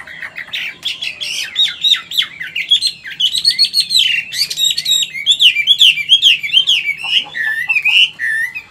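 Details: An old wild-caught Chinese hwamei with a wild-type voice sings a loud, continuous run of rich, varied whistles and slurred phrases, rising and falling quickly, with nothing else audible.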